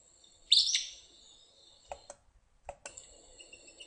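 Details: Acadian flycatcher, which hides in tree leaves and is more often heard than seen, gives one sharp, explosive, insistent two-syllable 'pizza', high and emphatic; faint clicks and thin high tones follow in the quiet.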